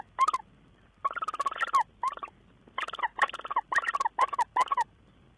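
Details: Tawny owl on 2 June 2010, uttering loud, rapid bursts of nasal, chattering notes with rich harmonics, grouped in clusters and separated by brief pauses. There is little background noise.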